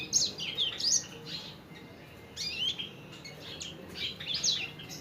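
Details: Sanger, a caged songbird, singing vigorously on an Indonesian training recording for teaching caged birds. Bright, high chirps and quick rising-falling whistled notes come in short bursts, with pauses of about a second between phrases. Faint low room hum underneath.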